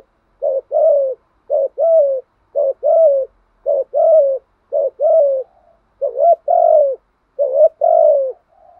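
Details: Spotted dove repeating its 'thúc gù' coo, said to make even timid doves call back: eight brisk phrases, each a clipped note and a falling coo, about one per second, steady rhythm, quiet surroundings.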